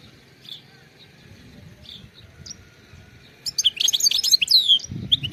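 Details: Faint scattered chirps from a wild European goldfinch, then a loud, fast burst of tinkling twitters and slurred whistles in the last two seconds.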